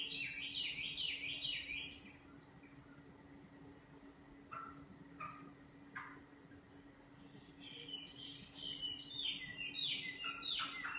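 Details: Quiet nightingale singing through a noisy background hiss: a fast warbling burst, several isolated short notes, then another rapid jumbled phrase, with a persistent low hum.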